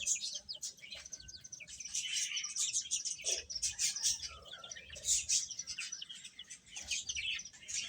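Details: Chicks chirping while feeding, giving rapid, high, piercing peeps in irregular pulses, with a few faint lower notes underneath.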